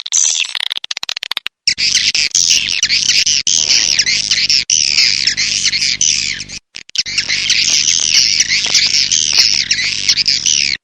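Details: Swiftlet calls in a lure sound recording: a dense, continuous buzzy chattering with wavering high notes, broken by brief cuts and a low steady hum.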